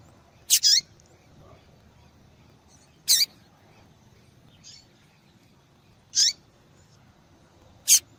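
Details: Female double-collared seedeater calling to attract males; about five clipped, high-pitched chips, including an opening double note, spaced two to three seconds apart against faint background hiss.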